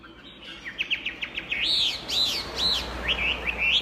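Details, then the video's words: Chinese hwamei singing vigorously: rapid down-slurred whistles, then loud arching, ringing phrases repeated about twice a second over a low background hum. "SUPER GACOR MANTAP SUARA KICAUANYA//Burung Hwamei"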